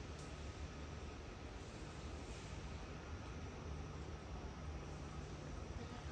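Steady broadband hiss with a low droning hum and no animal voice throughout.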